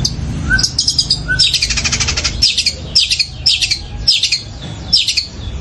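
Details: Cendet, or long-tailed shrike, singing loud and sustained in a sparrow-voice competition style: bursts of high buzzy chatter about every half second, with a few short whistles early on.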